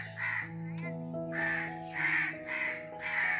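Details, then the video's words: A crow in a tree gives four hoarse, evenly spaced caws about half a second apart, with music playing underneath throughout. "সো দেখতে পাচ্ছেন কাক গাছের উপর কাকা করতেছে।"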